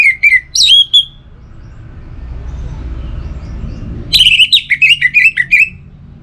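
Orange-headed thrush singing two bursts of rich, varied whistled notes, quick and slurred, separated by a few seconds of low background rumble.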